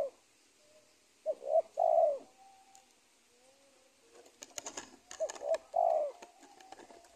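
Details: Spotted dove calling near a former cornfield beside a teak plantation in Indonesia while being trapped. Two coo phrases, short notes then a long hollow coo, with rustling and clicking noises between them.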